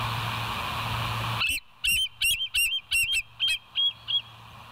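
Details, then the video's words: Bald eagle on a live nature camera on the morning of 27 September 2023; after steady hiss, eight loud, high, squealing chirps follow in a quick chattering run, the last few softer and trailing off. "West End Bald Eagles"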